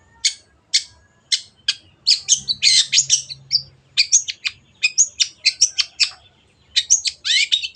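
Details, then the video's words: Long-tailed shrike (cendet) in full lively song, used as training material for caged birds: brisk scratchy chips and short buzzy bursts delivered in quick runs, with a few sweeping whistled notes near the end. "MASTERAN BURUNG CENDET GACOR"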